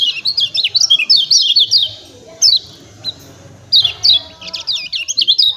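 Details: Chattering 'ciak ciak' calls of lemon-bellied white-eye, meant to spur birds into singing. Two seconds of rapid twisting high chirps, a lull with one or two single notes, then another fast, jerky burst.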